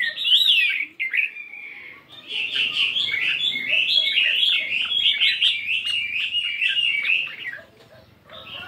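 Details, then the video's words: A 72-gram fighting Chinese hwamei practising its morning song with voice changes. A sustained stream of fast, jumbled whistled notes carries on for several seconds over faint low background noise. "Tiếng Chim Hoạ Mi Chiến 72gam Hót Đảo Giọng Rất Hay"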